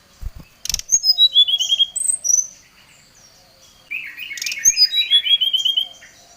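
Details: Brown-chested jungle flycatcher in energetic, agitated song to call out a rival: two phrases of bright whistled notes, each cascading downward in quick steps, with a short pause between and faint clicks.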